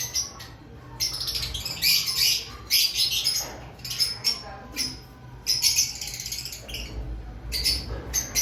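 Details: Lovebird activity before breeding season: dense, shrill, high-pitched chattering in repeated bursts of about a second, several overlapping voices, with short quieter gaps.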